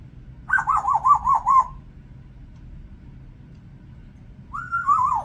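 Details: A 36-year-old female Congo African grey parrot kept as a pet gives a quick run of six wavering mid-pitched whistles, then after a pause a single whistle that rises, holds and dips, over a low indoor rumble.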